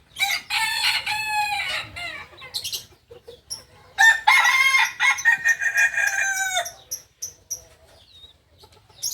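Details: A singing Kukuak balenggek cock from Solok, West Sumatra, crows twice. Each crow is a drawn-out series of linked, ringing syllables lasting over two seconds, separated by a pause filled with faint high chirps from other birds.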